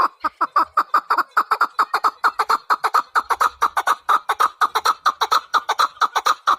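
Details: Chukar partridge in full rhythmic calling, loud clucking chuk notes repeated steadily about twice a second throughout, with clear harmonic bands.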